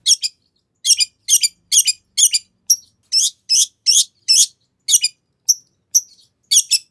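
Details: A long-tailed shrike singing to lure another shrike into answering: evenly spaced harsh, scratchy double notes about twice a second, mixed with a few thin high whistled pips.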